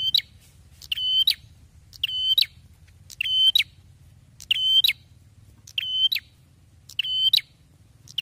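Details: Prinia, described as singing very loudly and persistently: harsh, buzzy notes rich in overtones, each held about half a second with sharp clicks at both ends, repeated roughly once a second over a faint low hum.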